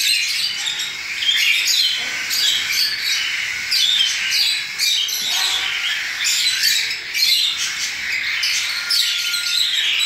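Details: Several young cockatiels that have just left the nest, hand-fed 10 ml of formula three times daily, keep up a long, rasping, chattering begging chorus with repeated harsh squawk-like pulses and steady hiss throughout.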